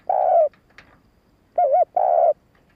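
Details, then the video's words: Spotted dove cooing to draw in and excite males: a long hoarse coo, a soft click, then a wavering double note and another sustained coo. "Tiếng cu gáy hạp bổi gáy - thúc - gù bổi nghe nhanh về cội / Tiếng chim cu gáy thúc gù kích bổi"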